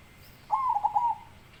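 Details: Zebra dove with a big voice singing one cooing phrase: a buzzy, stuttering coo broken into several quick pulses, then a fading tail. The background is quiet.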